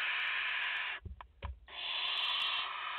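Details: At a French nest on 30 August 2021, a barn owl mother with her four chicks on a live camera: two sustained rasping hisses, each about a second long, broken by a brief pause with soft knocks and shuffling.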